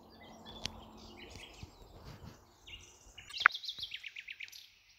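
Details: A common nightingale in Ribagorza, Spain, sings a rapid run of repeated high, sharp notes after a sudden loud click.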